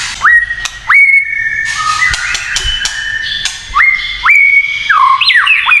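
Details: White-rumped shama singing a provoking kretekan phrase aimed at rival shamas: clear whistled notes rising then held level, repeated several times, mixed with rattling clicks and a final quick descending flourish.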